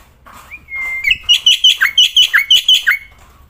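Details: Black-winged myna singing boldly outside. A long, level whistle opens, followed by about a dozen rhythmic, ringing notes that dip and rise, delivered evenly at roughly four per second.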